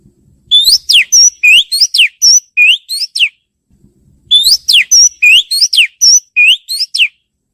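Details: Female Oriental magpie-robin calling to the male: two bursts of rapid sharp chirps, each about a dozen notes of steep up- and down-sweeping whistles, separated by a short pause; faint low background rumble.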